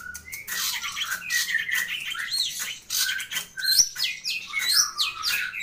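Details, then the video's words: Long-tailed shrike, known locally as cendet or pentet, singing steadily with abundant fill-in phrases as a full master recording: a rapid jumble of high chirps, slurred whistles and buzzy notes with varied, shifting phrases. "Burung Cendet Atau Pentet Gacor Isian Melimpah Komplit FULL Master"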